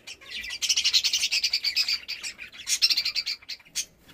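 Budgerigars chatter in rapid, scratchy chirps and warbles, a busy high-pitched stream with brief pauses.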